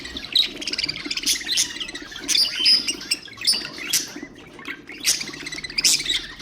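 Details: Budgerigar chatter meant to stimulate other birds: bright, buzzy high chirps and warbles come in quick bursts about every second, with a soft flutter-like rustle beneath.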